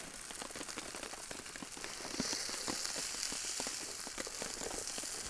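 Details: Steady rain drumming on a surface with scattered drop impacts, and no animal voices present.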